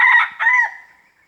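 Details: Territorial crow of a wild red junglefowl from a Riau industrial plantation forest: the drawn-out final part of a crow, two strong syllables with a trailing fade.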